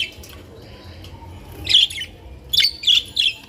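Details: Captive budgerigars kept in sunlight, giving a few short, high chirps near the end after a quiet start, with low background hum throughout.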